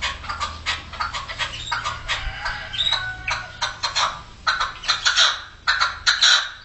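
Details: Young male red-legged partridges calling in 2014: harsh, rasping notes in uneven bursts about once a second, overlapping with some thinner, clearer tones and a steady background hiss.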